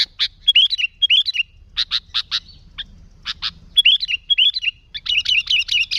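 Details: Energetic Sooty-headed bulbul song meant for luring wild bulbuls: clusters of sharp chirps, short slurred whistles and brief pauses, ending in a quick run of repeated bright notes over a soft low background hum.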